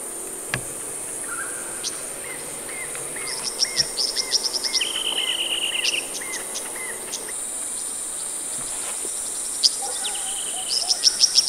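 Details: Male golden-headed cisticola in display flight at the SES Anstead Reserve: short buzzy bursts and a drawn-out buzz mixed with repeated clicky 'lik' notes, over a steady high insect drone.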